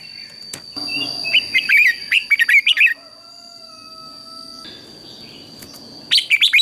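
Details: Red-whiskered bulbul morning competition singing: a rapid, twisting warble of liquid notes, then a long pause with faint tones, then another short burst, with sharp clicks and a steady electronic whine.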